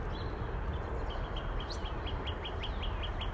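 A Northern cardinal repeats short, clear, slightly slurred high notes, about four a second, over a heavy low rumble.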